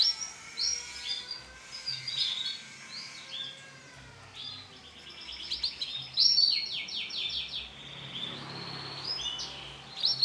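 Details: Male canary of yellow colouring in song: a series of high clear notes, then fast rolling trills and bursts of repeated chips, against a faint low hum.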